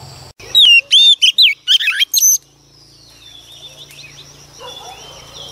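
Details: Wild-caught female Oriental magpie-robin singing to stimulate males: a loud burst of about two seconds of clear, sweeping whistled notes and sharp chirps, high-pitched and rapidly varied, then quiet background hiss.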